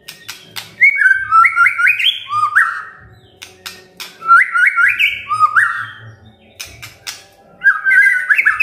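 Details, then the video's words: White-rumped shama singing full varied song with crackling clicks and bursts: dry clicking series, then two runs of rapid stepped whistles climbing in pitch, a faint low hum beneath. "KRETEKAN DAN TEMBAKAN murai batu full isian"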